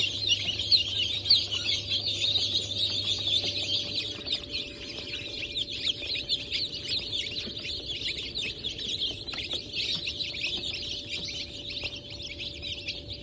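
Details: Crowd of freshly hatched chicks, Brahma, Sultan, Sussex and Wyandotte, from a 28 January 2024 hatch, keep up an unbroken, overlapping chorus of piercing peeps over thirteen seconds; a low electrical hum fades after four seconds.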